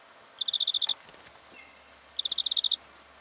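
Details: Black-fronted dotterel in Victoria, Australia, October 2011: two quick bursts of high, ticking metallic notes, about nine evenly spaced pips each, separated by a short pause over a faint hiss.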